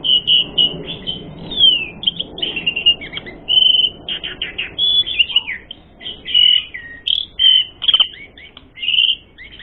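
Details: Asian pied starling song used as a lure to provoke fighting: a long varied run of whistles, trills, rasping rattles and sharp notes, delivered in quick bursts with short pauses.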